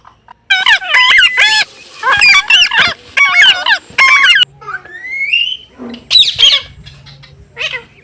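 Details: Parrots playing outdoors in a field on an autumn afternoon, giving loud, rapid, harmonic squawks in dense runs, then a rising whistled note and scattered squeals, with a low steady hum underneath.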